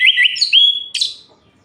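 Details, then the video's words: Orange-headed thrush at night, singing to goad other males: a brief fragment of rolling whistles ending in a sustained steady tone, cut by a harsh scratchy burst. "Suara Ini Bikin Gerah Anis Merah Lain"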